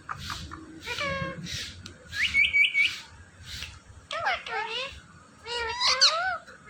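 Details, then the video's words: Talking parrot producing a series of harmonic, speech-like calls: a low swooping phrase, a quick trio of high chirps, then sharply rising and falling wavering notes, with quiet low background noise. "Talking Parrot"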